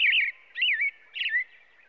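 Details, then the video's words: American robin singing three warbled, rolling whistled phrases about half a second apart, each sliding up and down, against a quiet background. "American Robin sounds | American Robin singing | Robin calls | Robin sounds"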